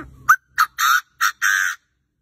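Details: Chinese francolin calling so fiercely that wild francolins are said not to dare approach; a loud, harsh, rasping phrase of five notes, a short sharp one, then longer grating ones, over about a second and a half, with faint background noise before it.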